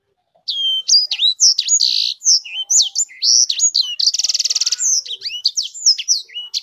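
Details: Sanger songbird, a kept hobby bird, singing a fast, varied high twitter of sharp up- and down-swept whistled notes, broken near the middle by a dense buzzy trill lasting about a second.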